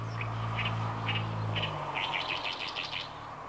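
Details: Oriental reed warbler proclaiming its territory in Inuyama, Japan, late May 2022; rasping notes repeated about three per second and speeding up into a rapid harsh series, over a steady low engine-like hum.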